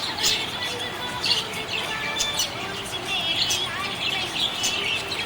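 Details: Budgerigars chirping happily: rapid high twittering with bright chirps about once a second, overlapping warbles, faint background music.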